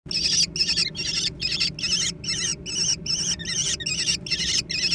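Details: Young American kestrels squabbling over food, giving a run of harsh, wavering high squeals in bursts roughly every half second, each with a warbling upper tone; faint low hum underneath.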